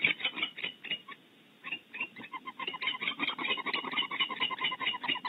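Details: Female and male barn owls defend their nest cavity in California, giving fast series of harsh, chittering notes, about two per second, with a short quiet pause before the calling resumes more steadily.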